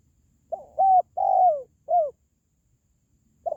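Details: A spotted dove gives a four-part phrase, a soft lead note, an arched coo, a long downward-sliding coo and a brief falling coo, then starts again after a pause.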